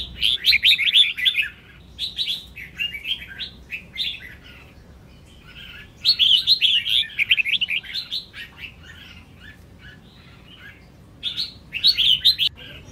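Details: Female red-whiskered bulbul warbling to stir males into song: long, busy runs of liquid twittering notes, three main bursts separated by quieter gaps, over a soft low hum.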